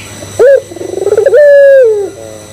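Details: Single coo phrase from a puter pelung Barbary dove used to provoke other doves: sharp rising start, quick stuttering pulses, long sustained hoot sliding down at the end, trailing faint low notes.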